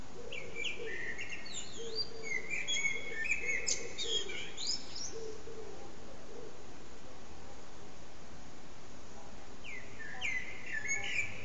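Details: Blackbird on an antenna singing almost three hours with short pauses; rich whistled phrases and high twittering, while soft low cooing notes from another bird repeat in the background.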